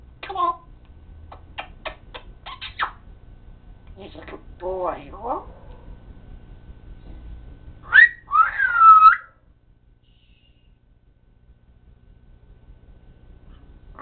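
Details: Talking pet parrot indoors: a run of sharp clicks and short squeaks, soft speech-like syllables, then a bright rising whistle ending in a level tone, followed by several seconds of quiet.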